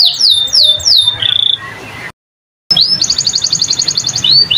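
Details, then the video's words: Canary singing in the ornate 'cengkok mewah' style: high downward-swooping whistles and a steady held note, a brief silent gap, then a fast buzzy roll of even repeated notes and more rising-falling sweeps. "Suara Burung Kenari Gacor cengkok mewah"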